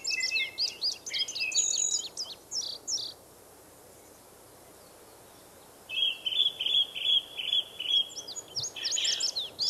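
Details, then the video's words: Indigo bunting in a forest giving two bursts of high, sweet song: a jumble of quick slurred notes, a pause of about three seconds, then a second phrase of paired buzzy notes. "Indigo Bunting in the Forest"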